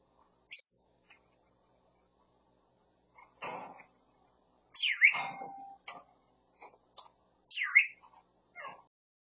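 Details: A talking grey parrot says "yeobo, katok" ("honey, KakaoTalk"). It gives one sharp high whistle, then two swooping, word-like phrases a few seconds apart that imitate a phone message alert, with faint clicks between them.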